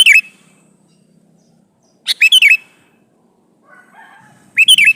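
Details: Sooty-headed bulbul male calling a female: quick, liquid chirping phrases with a wavering whistled end, repeated at roughly two-second intervals, with a faint soft murmur in one gap.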